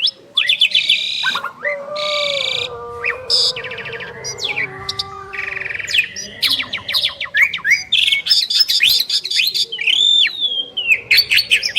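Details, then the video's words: Asian pied starlings, two birds in duet, mixing harsh scratchy bursts, low steady held tones and buzzy rattles, followed by rapid chattering and clear slurred whistles. "Jalak Suren Istimewa | Duet 2 Burung Juara"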